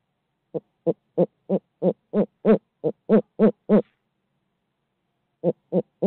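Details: Barred owl in midtown Tulsa hooting rapidly, eleven evenly spaced harmonic notes at about three per second, a pause of over a second, then three more hoots resuming.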